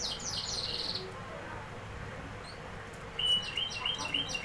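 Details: Canary giving a short burst of high descending trill notes, a pause, then a quick series of sharp repeated chirps to close; light background hum.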